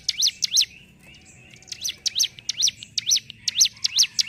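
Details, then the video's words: Sunda whistling thrush (mountain ciblek) giving two quick high zigzag notes, a brief quieter gap with faint thin sounds, then a renewed series of sharp rising-and-falling notes at an uneven pace. "CIBLEK GUNUNG GACOR NGENTROK"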